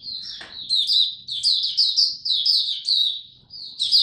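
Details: Caged Oriental white-eye in full song display ('Buka Sing Raja'), recorded 26 November 2022: an unbroken stream of bright, high, slurred chirps and warbles rising and falling, with a brief click near the start.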